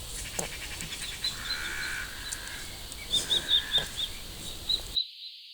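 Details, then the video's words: Common kestrel giving a short run of sharp, high notes, about six in quick succession after a quieter opening with scattered faint notes, against a hissy outdoor background. "Cri du FAUCON CRÉCERELLE"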